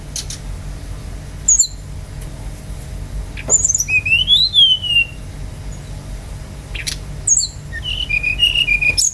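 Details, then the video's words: Bali brown-chested jungle flycatcher song played as a lure for other birds: high whistles and buzzy bursts, a long arched whistle that rises then slides down, then a run of quick repeated whistled notes at the end, with constant low hum. "PANCINGAN GACOR SRDC agar cepat ngeplong"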